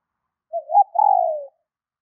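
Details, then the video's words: ['One call of a female spotted dove meant to stimulate males: a soft rising-and-falling opening note leading into a drawn-out low coo that slowly drops in pitch, no background noise.'] "Tiếng Chim CU gáy mái chuẩn kích trống hiệu quả"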